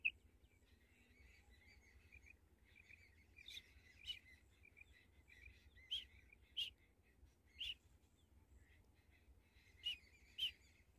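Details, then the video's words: A female common quail gives short, sharp, high notes at irregular intervals of one to two seconds, over faint background twittering and a low rumble. "Female Common quail call | madi batair ki awaz"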